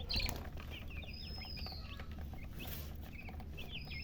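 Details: Chicken chicks chirping softly in short bursts of falling peeps, one longer whistle, with a low hum throughout.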